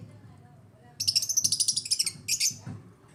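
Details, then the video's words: African lovebirds chirping in a rapid, even trill of shrill notes lasting over a second, then a second short burst, over faint low background murmur. "AFRICAN LOVEBIRDS CHIRPING SOUNDS"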